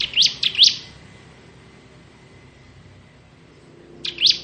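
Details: Crystal ciblek bar-winged prinia singing ngebren: three brisk rising chirps, a long quiet gap with a faint steady tone, then one more upslurred note.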